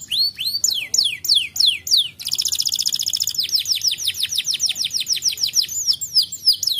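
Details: Canary song used to stimulate a lazy canary: descending whistled sweeps, then a dense buzzing roll, followed by fast regular chirps sliding downward, bright and high-pitched throughout.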